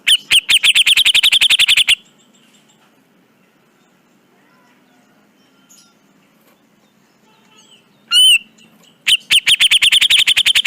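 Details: Grey-cheeked bulbul (cucak jenggot) masteran: a dense burst of rapid buzzy chips, about two seconds of near silence, one loud falling whistle, then another quick train of chips.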